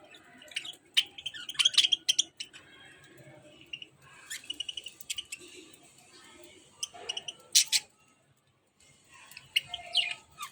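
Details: Budgerigars held on a hand while eating food chatter in quick, scratchy chirps and warbles, bursts coming every second or so with short pauses, over a soft background hiss.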